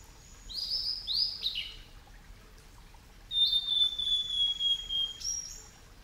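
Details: At Yamada Ryokuchi, Kitakyushu, Fukuoka, Japan, a male blue-and-white flycatcher, recorded over ten years ago: a few quick, high, falling whistled slurs, a pause, then a long pure whistle with a faint higher tone above, and a short closing note.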